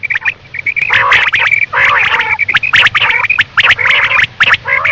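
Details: Quail at night giving a dense, nearly continuous chatter of short clipped whistles and buzzy nasal squawks, several notes overlapping, with low steady hum underneath.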